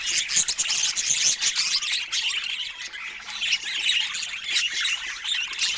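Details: Several pet budgerigars kept indoors with parrots: busy, shrill warbling chatter with sharp squawks and quick tweets tumbling over one another, pulsing in loudness throughout.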